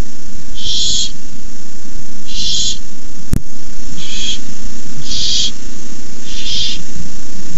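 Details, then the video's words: Barn owl nestlings at night, 18 May 2015, hiss as an adult delivers a rabbit; five separate harsh hisses, roughly every one to one and a half seconds, with a single sharp click midway and low hum throughout. "Owlets hiss."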